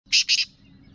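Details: Female black francolin from Sindh or Punjab, calling to excite males: two harsh, grating, broadband notes in quick succession, then silence, over a steady low electrical hum.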